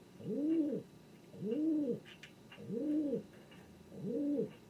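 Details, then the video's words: Pet male king pigeon (domestic pigeon) indoors, strutting under a table and apparently looking for another pigeon, gives four deep, rounded coos, each swelling and falling over about half a second, repeated roughly every second and a quarter. These are sounds it had never made before. "SOUND OF A KING PIGEON 🔊 What does a king pigeon sound"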